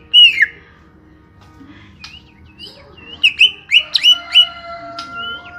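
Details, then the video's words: Small-bodied greater green leafbird giving an isolated slurred whistle, then a brisk run of sharp, descending notes. Faint steady tones run in the background. "Setting Cucak Hijau Body Kecil"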